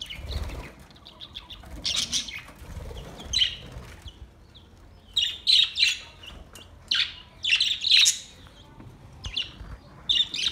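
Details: Budgies in song: clustered bursts of high, scratchy chirps and squeaks, coming in irregular groups every second or two, separated by quieter gaps with low background hum.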